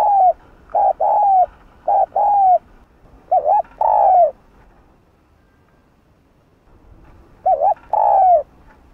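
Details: Spotted dove calling with soft urging coos to stimulate another dove to sing quickly: four repeated phrases of two to three hollow, low coos, each ending in a longer falling note, separated by brief pauses and one longer silence.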